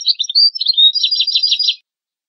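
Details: European goldfinch singing, a tutoring recording for goldfinch and hybrid chicks: mixed twitters and a short clear whistled note, then a dense rattling twitter run that stops abruptly.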